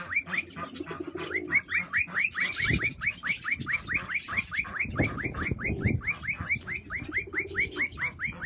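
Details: Cockatiel (Nymphicus hollandicus), calls.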